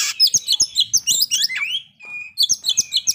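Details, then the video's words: Kacer, the Oriental magpie-robin, in a lure song for breeding drive and aggression: quick high chips and twitters, a rising slur, a short gap, then a thin whistle and repeated chirps. "pancingan agar kacer capat birahi dan emosi terampuh"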